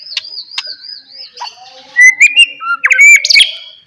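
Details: White-rumped shama singing as a lure for other shamas: a level whistle broken by sharp ticks, then loud rising and falling whistled phrases mixed with clicks.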